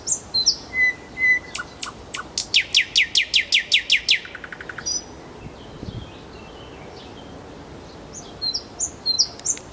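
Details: Nightingale song in Kuzminki forest park: a few high whistled notes and chips, then a fast, loud rattle of about a dozen clicking strokes. Quieter chirps follow.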